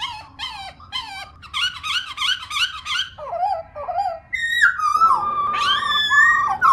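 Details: Caged female black-throated laughingthrush singing to excite other pet birds: bouncy repeated whistled notes, a few lower slurs, then longer level whistles with rising ends.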